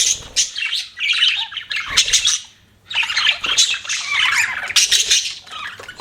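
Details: Budgies chattering in two extended bouts of buzzy, warbled squawks and chirps, with a near-silent pause in the middle.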